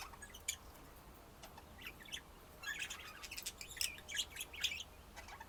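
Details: Budgerigar chatter: scattered short, sharp chirps and clicks, sparse at first, then a denser burst of scratchy warbling notes in the second half over a faint steady hiss.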